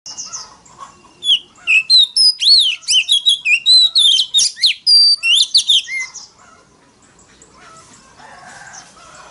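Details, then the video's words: Oriental magpie-robin in a very loud, wild-voiced lure recording used to provoke rivals into competitive singing: a rapid run of clear whistled notes, sliding up and down and varied, about four per second, between quieter pauses. "File choè than mồi kích bổi đấu GIỌNG CỰC TO || Gọi choè than SIÊU NHẬY"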